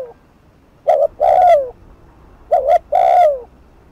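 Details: Spotted dove, cu gáy, used on a decoy to provoke rival birds into calling; fast 'thúc gù' cooing. Two phrases, each a short double note followed by a longer falling coo, about 1.6 seconds apart.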